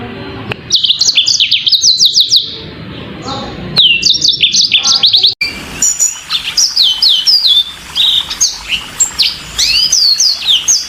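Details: Yellow-fronted canary song, very clear, in several bursts: rapid high whistled trills and swooping notes, a brief cut, then more varied warbling phrases of rising and falling whistles.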